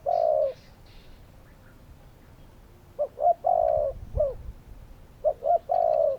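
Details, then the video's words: Spotted doves cooing in low, soft phrases of two short notes and a longer drawn-out coo, repeated, with quiet background between phrases. "Spotted doves calling!"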